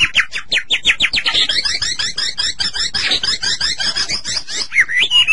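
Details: White-rumped shama song for stimulating captive shamas: a dense, fast chattering stream of repeated high notes ending in a clear whistled phrase.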